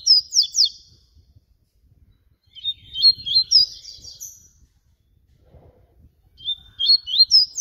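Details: Yellow-bellied seedeater (papa-capim baiano) singing flute style, three separate phrases of bright, high, rapidly slurred whistles with sharp sweeps, split by brief quiet gaps.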